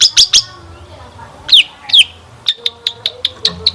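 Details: Lure recording of a long-tailed shrike singing to set other shrikes singing: three harsh high notes, two loud sweeping downslurred squeals, then a run of short ticking chips about every fifth of a second.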